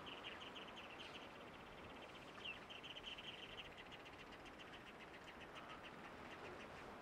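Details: Common scoters at IJmuiden, the Netherlands, on 21 March 2024, give fast series of short, high piping notes, several birds overlapping, over a steady roar of wind and surf.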